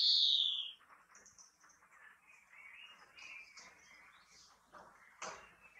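A European greenfinch opens with a loud, drawn-out wheezy note lasting under a second, then softer twittering trills. A faint click follows near the end.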